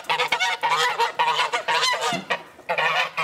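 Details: Geese let out of their house in the morning, calling in joy: loud, harsh, overlapping honks from several birds in ragged, nearly continuous bursts.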